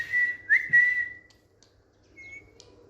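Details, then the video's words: A pet Indian green ringneck parrot on a bed gives a drawn-out whistle with a quick upward flick in the middle, then fades into a faint, higher, thin note. "Smart Whistling Indian Green Ringneck Parrot Talking on Bed"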